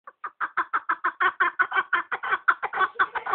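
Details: Partridge calling in a fast, steady series of harsh, clipped chuk notes, roughly six per second, building slightly in strength through the run.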